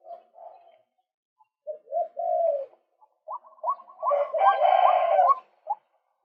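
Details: Lure recording of a male white-breasted waterhen: soft low notes, then a series of short clipped calls swelling into a loud, rough, croaking outburst before a brief closing note.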